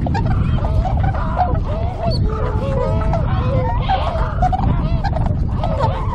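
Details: Many Tundra swans wintering on a river in Kawajima, Saitama, Japan, on 4 February 2017 call together in overlapping, wavering honks throughout, backed by constant low-pitched wind noise.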